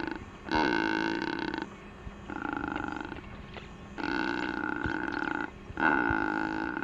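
A Secretarybird gives four deep, harsh croaking groans, each about a second long, with short pauses between them. Nothing else is clearly heard.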